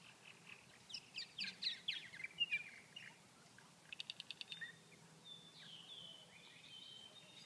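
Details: Purple martins on a chilly Grand Forks, North Dakota day, only 39°F, unable to feed because no insects were flying. The birds are sluggish. Bright, sharp chirps and burbles come first, then a quick run of rapid clicks, then thin drawn-out notes.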